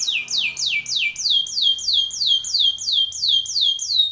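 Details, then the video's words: A Timbrado canary gives a training song of sharp downslurred whistles, repeated evenly about three times a second. "TIMBRADO canary singing / canto Canario cantando / canary training song"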